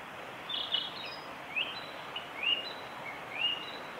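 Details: A male Narcissus flycatcher sings on the Hinata forest road on 25 April 2020, giving faint, short, high-pitched whistled phrases about one a second over a steady background hiss.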